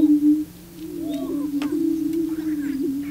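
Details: Male prairie chickens displaying on a booming ground to attract females; a steady low hooting drone runs throughout, with squeaky whoops and cackles layered above.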